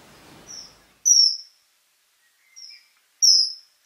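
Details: A Common Kingfisher gives four shrill, thin, high whistles, loud and sharp, about a second apart, faint hiss at the start; Biržų laukas, Šilalė district, Lithuania.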